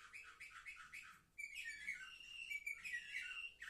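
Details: Juvenile canaries, seven months old, filmed 10 November 2023, singing: a rhythmic repeated rolled phrase about four times a second, then a switch to higher sustained trills and twittering warbles.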